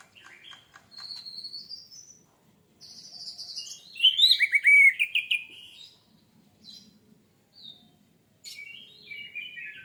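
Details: Orange-headed thrush singing as a lure to get birds singing fast. Rising thin whistles, then a loud rolling, buzzy, many-noted warble, followed by scattered quieter high phrases.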